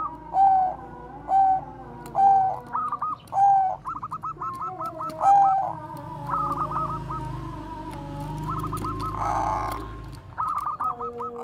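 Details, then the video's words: Bangkok-type zebra dove, bekur koar-koar song kept as a lure for training Bangkok, crossbred or local doves. Loud drawn-out coos open the recording, followed by rapid strings of short stuttering notes repeated in runs. "perkutut BANGKOK BEKUR KOAR-KOAR bagus untuk PANCINGAN PERKUTUT"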